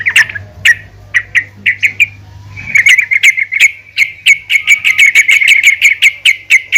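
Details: Female yellow-vented bulbul calling to other bulbuls: a few scattered sharp chirps at first, then a long, fast run of bright, clipped notes repeated several times a second, with a low steady hum underneath.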